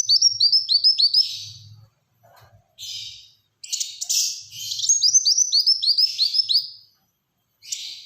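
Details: Black-throated sunbird delivering long rapid strings of high hooked whistles, the dense 'tembakan rapat' style for luring and tutoring birds, broken by brief buzzy rasping bursts and short silences.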